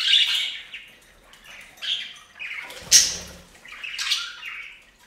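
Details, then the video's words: Budgerigars bathing on a fountain, making scratchy chirps and squawks spaced about a second apart, with a brief wing-flap or splash in the middle. "Best Budgie Bath EVER! + Budgie sounds"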